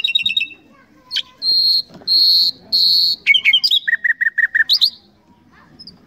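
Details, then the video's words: Varied common nightingale phrase: a quick trill, three long buzzy bursts, then clicking notes and a row of six even whistles ending in a rapid flourish. "Common Nightingale Songs"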